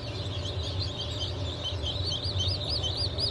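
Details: Freshly hatched Brahma and Wyandotte chicks from a 4 August 2024 hatch, softer scattered peeps that become clearer, arched high chirps toward the end, over a steady low hum.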